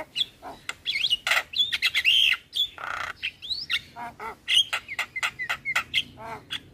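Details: Tutoring recording of black-winged starling and other starlings, used to train birds and prompt them to sing. A dense, chattering mix of squawks, twisting whistles and harsh clicks pours out almost without pause.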